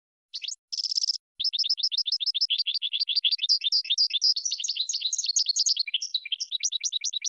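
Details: Goldfinch song from a set meant to teach other birds to sing: after a few opening notes comes a long, unbroken stream of varied, high, tinkling twitters.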